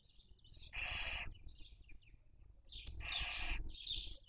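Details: At a webcam nest in Cabañeros National Park, Spain, during the 2023 breeding season, a barn owl family raising young gives two long rasping hisses, each near half a second, framed by brief soft twittering notes.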